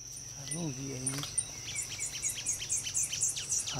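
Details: Grey pileated finch singing: a run of short, sharp, downslurred chips repeated rapidly about four times a second over a steady high whine, after a brief low voice at the start.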